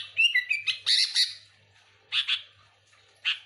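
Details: Sooty-headed bulbul singing lively to lure other bulbuls: a quick run of liquid, slurred whistles and harsher chirps, then a silent gap before two short, loud burry phrases.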